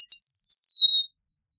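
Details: Eastern meadowlark song: a clear whistled phrase of slurred notes descending gradually from high to lower pitch, lasting about one second, with no other sounds.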